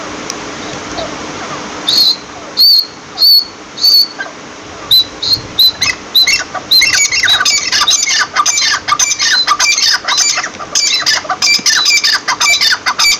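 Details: Partridge gives a few separate high whistled notes, then builds into a dense, continuous run of harsh, rasping squawks that fills the second half.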